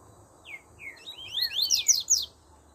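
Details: Double-collared seedeater singing: a fast run of clear whistled notes, first slurred downward, then quickening into a tumbling cluster of high sweeping phrases before stopping, with faint low background rumble.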